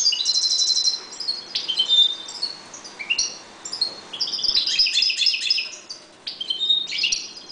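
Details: European goldfinches breeding in a 1.20 m cage, calm birds, singing a lively twittering song of high tinkling notes, buzzy trills and short rising whistles in bursts with brief pauses.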